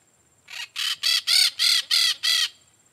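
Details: Peach-fronted parakeet (Eupsittula aurea) giving seven harsh, grating screeches in quick succession, about three per second, over a faint steady high insect-like hum.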